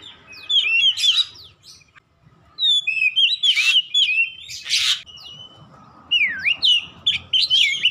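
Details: Oriental magpie-robin (kacer) song for therapy to make a stalled bird sing along. Varied whistled phrases broken by loud harsh bursts, short pauses between runs, and a swooping V-shaped whistle toward the end.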